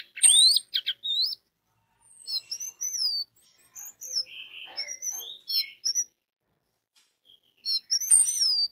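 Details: Orange-headed thrush song played as a lure for other orange-headed thrushes: clear high whistles, downward-sweeping slurred notes and short warbled phrases, in varied bursts with a quiet gap before a final loud phrase.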